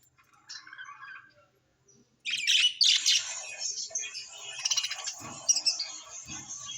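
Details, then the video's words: Budgerigars kept at home: a soft warble first, then after a short silence a burst of loud, harsh, scratchy chattering that settles into continuous high, buzzy twittering with occasional low thumps. "Budgies parrot"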